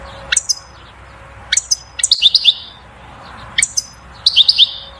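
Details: A European goldfinch sings its strongest song to stimulate the female to mate and build a nest: bright, tinkling twitters and rapid liquid trills in short bursts, high-pitched and lively, against a faint low hum.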